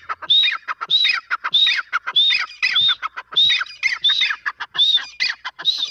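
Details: Grey francolin female, locally called teetar, giving a continuous series of harsh, squawking phrases roughly twice per second, each topped by a high arched whistled note, steady and loud throughout.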